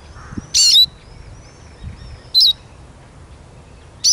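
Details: Eurasian siskin uttering bright, high-pitched whistled notes, each twisting briefly then settling into a thin sustained tail, with soft low rustling between calls.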